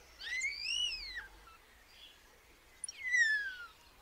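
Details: Common starling giving two drawn-out slurred whistles, the first arching up then down, the second falling steadily, with a quiet pause between them.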